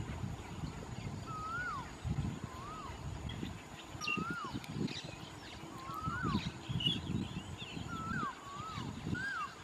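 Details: White-vented myna feeding on figs in rice fields at Khao Yoi, Phetchaburi, Thailand, on 28 March 2016; repeated short rising-then-falling whistled notes, with scattered chirps from other birds and low rumbling background noise.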